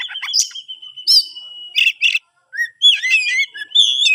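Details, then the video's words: Oriental magpie-robin, bred in captivity in Kebumen, holds a long level whistle, then breaks into harsh buzzy bursts, a short pause, and quick varied chirping whistles that rise and fall. "burung Kacer hasil ternak"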